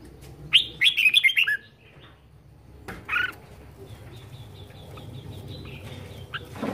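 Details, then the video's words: Kept red-whiskered bulbul in vigorous 'ché' song: a burst of rapid chattering whistled notes, then a lone clear chirp, followed by a soft thin repeated high twittering over a hissy background. "Chào mào hót hay | chào mào ché hay | chào mào siêu ché"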